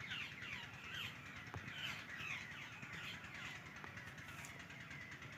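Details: Babblers near a net trap set for bird hunting: harsh, scratchy chattering notes, several overlapping, repeated rapidly at roughly two per second over a steady low background rumble.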